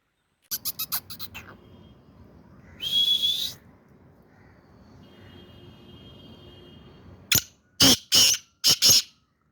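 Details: Black francolin of the Sindhi type, described as sweet-voiced, giving harsh, buzzy bursts: a quick stutter of short notes, one longer rasping note, then after a pause a rhythmic run of four or five loud grating notes; quiet background hum.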